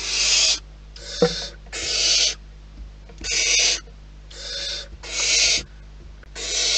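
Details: Barn owls at a wild nest repeat harsh, breathy hissing screeches, each about half a second long, roughly every second, over low background rustling.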